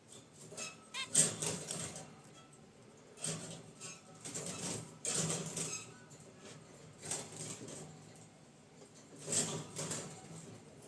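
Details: Pet zebra finches relaxing in a cage by their wicker basket nest give spaced bursts of brief nasal honks and chirps every few seconds, with rustling in between.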